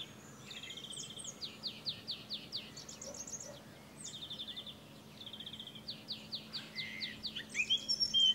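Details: Singing song thrush filmed in France, an adult alongside a juvenile: short motifs of crisp, high, slurred notes and quick ticking trills, each phrase delivered in repeated bursts with brief pauses between.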